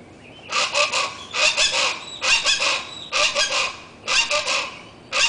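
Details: Wild bird giving a spring love call in the tropical jungle of Yucatan: loud, harsh, broadband bursts of rapid notes, each about half a second long, repeated roughly once a second with short gaps.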